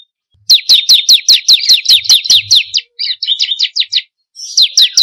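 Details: Bar-winged prinia singing, a recording meant to lure or train birds: a quick string of about ten sharp falling chirps, then short twittering notes and another chirp series.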